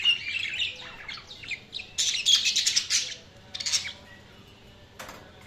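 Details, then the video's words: Budgie chirps and warbles in quick runs, loud rasping chatter for a couple of seconds, then a brief burst and a single sharp chirp before the room goes quiet. "Budgies Sounds| Budgies Chirping sound"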